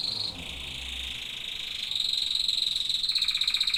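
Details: Singing canaries deliver continuous high rolling trills, shifting from a smooth buzzy tour into a faster, more sharply pulsed trill partway through.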